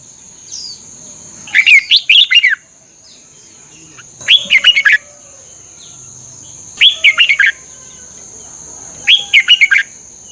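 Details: Red-whiskered bulbul, Thailand, recording used to train caged birds: four short lively phrases of rising and falling whistled notes, about every two and a half seconds, preceded by a faint soft note, with a steady high whine throughout.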